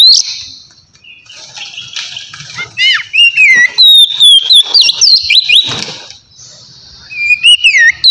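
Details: Relaxed ngeplong song of a white-rumped shama, the kind played to lure wild birds: clear high whistles with quick sweeping notes and rapid chips, broken by softer pauses.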